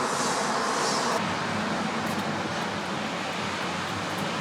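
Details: Steady roadway rumble and broadband hiss from passing vehicles, with a brief high hiss early on and no animal voices.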